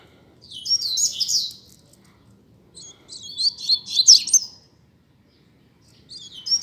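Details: Double-collared seedeater, a caged bird in a singing contest that serves as a teaching song: three separate bursts of fast, high, chattering notes, with quiet gaps of roughly a second between phrases.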